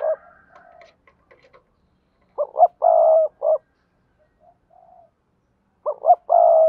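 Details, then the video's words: Decoy spotted dove from Đồng Nai, Vietnam, cooing double-voiced (giọng đôi) to lure wild birds: soft faint notes at first, then two clear phrases of two short hoots, a sustained coo and a short ending note. "Tiếng chim cu gáy mồi kích bổi gáy gọi giọng đôi/ chim cu gáy đồng nai"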